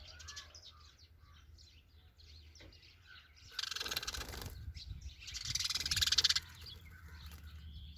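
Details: Sparrow calling: faint, thin high chirps scattered through the first seconds, then two louder bursts of rapid, harsh chattering chirps, each lasting about a second, over a low steady hum.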